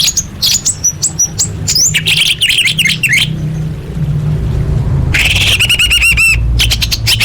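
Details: Orange-headed thrush in a masteran tutor recording: quick, varied high chirps and sweeping whistles, a pause, then a dense burst of rapid looping rattled notes, over continuous low hum.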